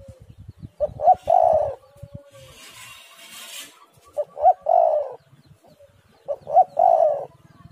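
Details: Spotted dove, a lure recording meant to get doves calling. Three evenly spaced phrases of quick hoots leading into a longer throaty coo, about every two and a half seconds, with a brief hiss between the first two.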